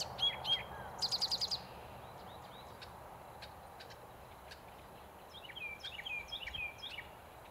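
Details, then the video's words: Eastern towhee in East Ithaca on 8 May 2020 singing a variation of its traditional "drink your tea" song: two sharp introductory notes followed by a fast, ringing high trill, then fainter songs from other birds amid steady background hiss. "Variations on "Drink Your Tea" (Eastern Towhees, 2020-05)"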